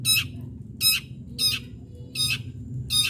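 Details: Long-tailed shrike giving rasping, scratchy squawks as a lure for other shrikes to sing, five harsh bursts spaced roughly 0.7 seconds apart, with a low background hum.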